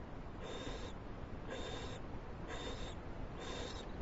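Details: An owl on a live camera, given a big treat on 21 February 2011, makes four soft, breathy hissing bursts, each under half a second and spaced about a second apart, over a steady background hum.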